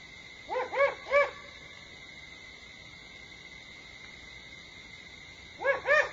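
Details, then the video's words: Great Horned Owl at Starr Ranch, 21 September 2011, 4:30 AM before dawn, giving short mellow hoots: three quick notes, a pause of several seconds, then two more, over a steady thin high hum. "Great Horned Owl Calls"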